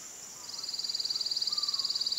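Tooth-billed wren giving a thin, very high trill of rapid notes, about twenty per second, that builds in strength over a steady high insect whine.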